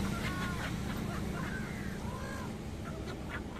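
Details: Migratory black-headed gulls wintering in India, a very noisy flock: many overlapping harsh, nasal, arched calls in rapid succession, several per second, over a loud, constant rumbling background din.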